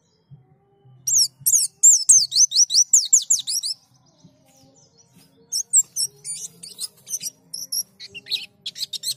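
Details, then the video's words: White-eye song used as a prompt to get birds to open their beaks and sing: bursts of high, sharply descending whistled notes in rapid runs, a pause, then scattered thinner chirps resuming, with faint low hum beneath. "Pancingan pleci agar buka paruh"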